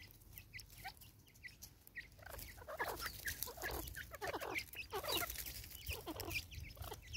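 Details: Angry female Natal spurfowl in South Africa, 2024: quiet, scattered harsh notes at first, then a strong stretch of loud, rasping cackles packed closely together.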